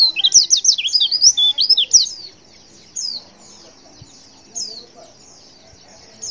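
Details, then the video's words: Female white-eye calling to stir males into responding: a hurried cascade of squeaky, sliding chirps for about two seconds, then separate thin notes at intervals of roughly one and a half seconds. "Suara CALL PLECI BETINA Super Lenjeh BIKIN Pleci Jenis Apapun Cepat Respon & gacor"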